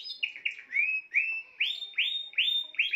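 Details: Spanish timbrado canary song of clear, rising slurred whistles repeated about two or three times a second, each note sweeping upward and ending on a sustained bright tone.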